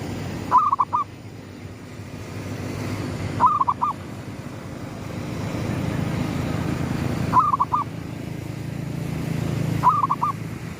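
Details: Gedong mengo lure song of a zebra dove greeting sunrise: four crisp phrases of a rising coo plus rapid rolling notes, spaced about three seconds apart, with a steady rumbling backdrop.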